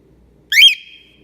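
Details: Loud single shriek from a grouchy pet female cockatiel yelling repeatedly, linked to hormones or wanting something; harsh rising onset flattening into a thin held whistle, quiet room around it.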